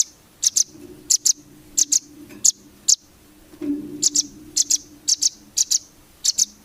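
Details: Velvet-fronted nuthatch, known locally as rambatan, in a masteran recording meant to train competition birds: sharp, high paired chip notes repeated about every two-thirds of a second, with a brief pause midway and faint low background hum.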